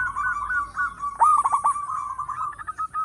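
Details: Loud local zebra dove kept as a lure: a continuous rolling, pulsed coo broken by a sharper cluster of quick stuttering notes midway, then steady trilled cooing again.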